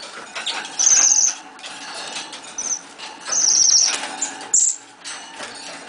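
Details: High, thin, squeaking nuthatch calls, drawn-out and slightly buzzy, several in six seconds with irregular spacing, accompanied by rustling, scraping and knocking noises.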